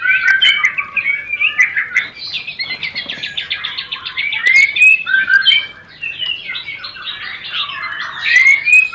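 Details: White-rumped shama rencetan lure sound to trigger mating urge: a long, fast stream of chattering notes and slurred whistles, about three a second, briefly pausing before resuming with rising whistles.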